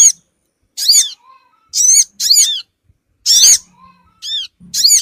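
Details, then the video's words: Sogon bird call played as a lure for small birds: sharp, high, harmonic squeaks in single notes and pairs, spaced by pauses of about half a second to a second. "suara pikat burung Sogon ampuh cepat ngumpul"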